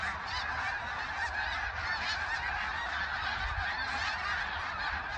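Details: A huge flock of snow geese, migrants gathering in numbers as large as 100,000, fills the air with a steady din of overlapping high, barking honks, so many voices that individual calls merge together.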